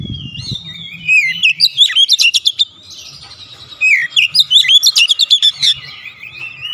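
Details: Oriental magpie-robin (kacer) song, played to help stressed birds recover and sing vigorously: sliding whistles, then two bursts of rapid, bright chirps repeated about three per second, with a faint low hum underneath.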